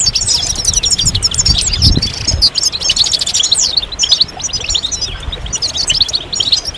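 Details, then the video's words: Group twittering of European goldfinches used to spur males into song during moult, with continuous liquid chirps and fast rattling trills overlapping, a brief low thump near the start. "ستستة وبتبتة جماعية للحسون فعالة في تحفيز الحسون على الخروج من غيار الريش بسرعة"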